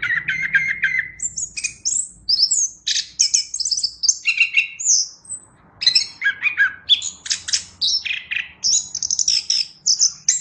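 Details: Continuous, energetic Chestnut-capped thrush song: a bright medley of clear whistles, rattling trills and squeaky chips jumping between mid and very high pitch, phrases following each other with barely a gap.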